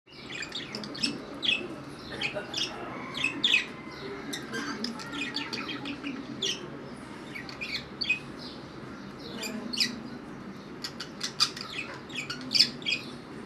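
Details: A pair of pet budgerigars chirp in quick, high, scratchy bursts while exchanging kisses, with a steady soft warble running underneath.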